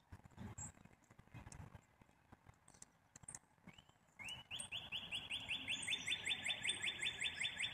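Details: Black-capped chickadee giving a rapid series of buzzy, rough notes, repeated at a steady pace for over three seconds after a brief rising introductory note. Earlier, scattered faint chips and low rumbling noise are heard.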